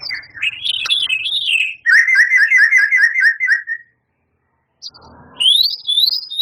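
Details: White-rumped shama, a champion with imitations of canary, cililin and lovebird: wavering whistled notes, a run of rich rolling slurs repeated quickly, a gap with soft rustling, then rising whistled sweeps.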